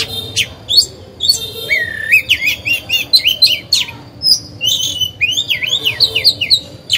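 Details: Decoy oriental magpie-robin in a cage, singing to provoke other birds into singing. Quick, varied whistles loop up and down between crisp high chips, with brief gaps between phrases.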